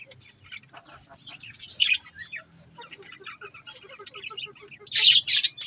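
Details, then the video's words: Budgerigars keep up restless chatter, with rapid high chirps and buzzy warbles in loose runs, then a loud burst of harsh, dense chirping near the close, over a faint low hum. "Budgies chirping sound"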